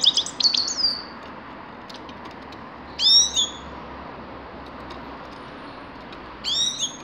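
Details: A grey-crowned goldfinch utters a short twittered burst, then two single bright downslurred call notes spaced about three seconds apart, with quiet between.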